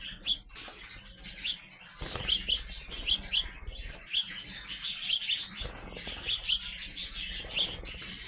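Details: Growing young sparrows give bright, short chirps, single and in quick pairs, scattered across the clip and thickening into busy overlapping chatter in the second half, over a low steady hum.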